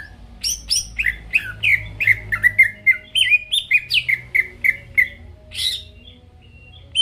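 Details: Song of a greater green leafbird, played to get rival birds singing; a few high sweeping notes lead into an even series of short whistled chirps, then a pause and a final high slur.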